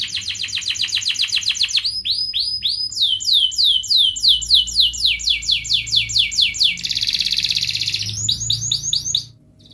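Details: Canary song played as a lure to set lazy canaries singing, in ngerek, mbarong, cuit cuit and ngerol styles: rapid pulsed trills giving way to repeated sweeping whistled notes, a dense buzzing roll, then quick trills again, continuous and very high.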